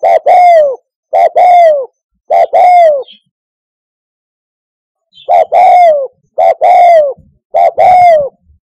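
Spotted dove giving low, husky two-part coos, three in quick succession, then a pause and three more; no other sounds.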